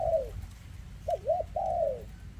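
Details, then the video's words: Spotted dove, 2024 recording of a bird with a leg defect, cooing in the thick rước style. A long descending coo ends one phrase, then a full phrase follows with two quick coos and a sustained falling note. "Chú Chim Có Tặt Có Tài , Siêu Phẩm 2024 Kèm Rước Siêu Dầy ( Chim Bị Rẩy Giò )"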